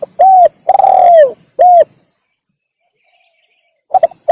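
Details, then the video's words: Spotted dove cooing used to attract wild doves for trapping: the close of one phrase with a coo, a long hoarse drawn-out coo and a clipped last coo, then a quiet gap before fresh stuttering notes start. "suara burung tekukur derkuku untuk pikat"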